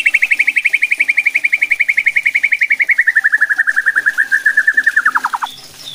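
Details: White-rumped shama vocalising to provoke other shamas: a long rapid trill of repeated notes, nearly four per second, slowly falling in pitch over five seconds before a few lower notes.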